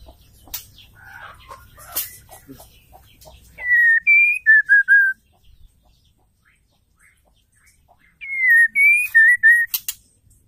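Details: Female white-rumped shama calling to stir males into song: two bursts of five clear, slurred whistles, each note sliding slightly, with faint clicks and rustling before the first burst.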